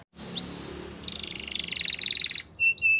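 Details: A canary's training song: thin high whistles, then a rapid rolling trill for over a second, ending with short flat whistled notes.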